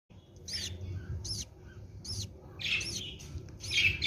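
Young budgerigars give sharp, arched chirps in quick bursts, repeated roughly every second over a low rumble.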